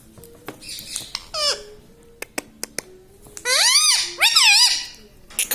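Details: Talking pet parrot in a small room, said to say 'mummy', 'papa' and 'radhe radhe'; a high, falling word, then a loud run of bending, rising-and-falling squeaky syllables like mimicked speech, with faint clicks around.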